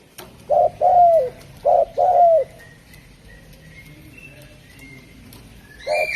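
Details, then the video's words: Javan spotted dove, local name derkuku or tekukur, giving two low coo pairs, a brief note then a drawn-out falling one, followed by quiet and the start of another phrase; a faint higher call overlaps. "Suara Burung Derkuku Jawa"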